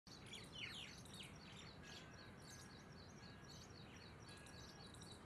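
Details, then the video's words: Several common mynas calling in the morning on 3 March 2023: a jumble of chattering, whistled and squeaky notes over a steady low background rumble. "Mynah birds calling"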